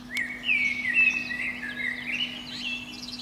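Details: Eurasian blackbird, a protected species, singing at the crown of a pine outside a window in early spring morning: a soft click, then a long flowing run of mellow whistles that breaks into high, scratchy twittering.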